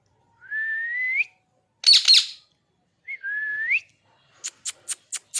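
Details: Pet parrot, described as angry: two clear whistled notes rising gently from low to higher pitch, separated by a harsh, noisy burst, then a quick series of five sharp clicks at the end.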